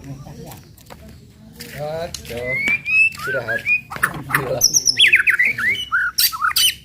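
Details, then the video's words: White-rumped shama song used to provoke other birds into singing, with scattered whistles and chirps building into varied high whistled phrases and a rapid trill toward the end; faint background rumble. "TEMBAKAN MURAI BATU PEMANCING EMOSI AMPUH BIKIN AMPUH BIKIN MURAI CEPAT BUNYI"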